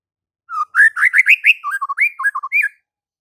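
A White-rumped shama gives one rich two-second phrase of quick, fluty whistles that rise and dip, then ends in a few clipped notes. No other sounds.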